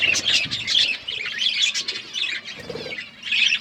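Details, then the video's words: Budgies chirping while eating food: dense, overlapping high warbled chatter with quick twittering notes in continuous bursts, dipping briefly near the middle before swelling again. "Budgies eating food birds chirping sounds"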